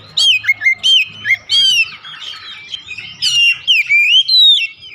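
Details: Oriental magpie-robin song for prompting a pet bird to sing: short, loud whistled notes repeated in quick succession, some falling, some rising, with faint low background hum.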